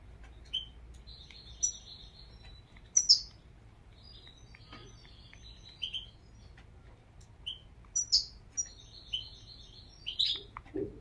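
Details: European goldfinch giving scattered high twittering chirps and short buzzy notes, a few each second, spread over about eleven seconds against a quiet background.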